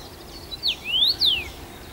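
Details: First-summer male Common rosefinch at Bazel, Belgium, 7 June 2015, delivering one whistled phrase: a brief note, a falling slur, a long rising whistle and a falling close.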